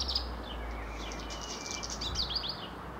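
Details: A black redstart (Phoenicurus ochruros) in Ljubljana, Slovenia, beside the Dolenjska railway, 11 June 2022, gives thin, high chirps and a brief level whistle over a steady low rumble of background noise.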